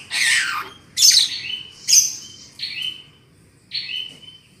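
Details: Black-winged myna lure call used for trapping birds: harsh, broad squawking bursts, each followed by a short flat whistled note, repeated roughly once a second in a quiet setting.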